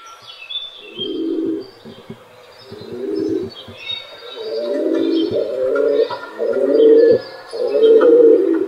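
Several rock pigeons coo together, low throaty rolling phrases overlapping about once a second, with faint chirps above.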